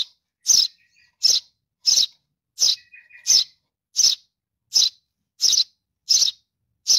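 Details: Young sparrow begging for its mother, giving a steady series of about ten bright, high chirps spaced evenly under a second apart, with a faint low buzz midway.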